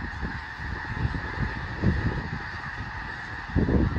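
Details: A large flock of snow geese settling for the night on Fir Island near Mount Vernon, Washington, with a dozen bald eagles on the ground nearby: dense, steady overlapping nasal honks and yelps, louder bursts at start, middle and end.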